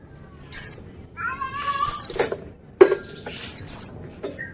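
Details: Oriental white-eye (pleci) singing: sharp, high, falling chirps in pairs, with lower whistled tonal notes and brief clicks between them.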